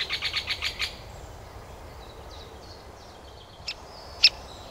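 Great spotted woodpecker: a quick burst of about six sharp, high notes in the first second, then two single loud 'kik' calls, with faint bird notes behind.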